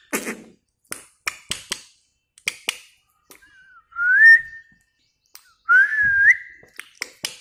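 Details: Talking parrot indoors, repeating "mitthu", giving sharp clicks and brief syllables followed by two clear whistled phrases that waver then rise, in a quiet small room.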